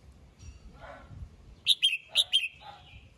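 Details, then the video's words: Red-whiskered bulbul in morning song, calling the flock: after a quiet lead-in, a quick run of four crisp, bright chirps followed by a falling whistled note. "Chào mào hót sáng, yếu lửa gọi đàn, kích bổi ra bọng"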